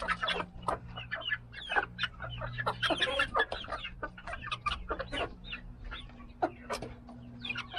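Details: Mixed breeds of chickens including Australorp, Buff Laced Polish, Golden Polish, Rhode Island Red and Silver Laced Wyandotte, day 83, kept together; dense overlapping clucks and short calls from many birds, with a steady low hum beneath.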